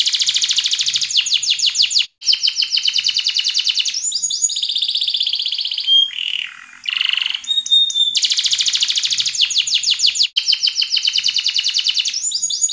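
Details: A yellow canary pours out long rapid trills of sweeping notes, shifting into a high rolling warble, a lower churring passage with thin pure whistles, then back to the fast repeated trill.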